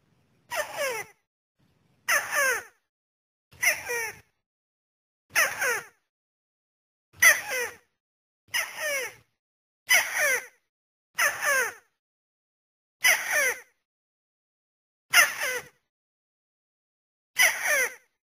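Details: Trapping lure of the white-browed crake: eleven short, harsh, downward-slurred squeaks spaced roughly every one and a half seconds, steady and evenly paced against a silent background.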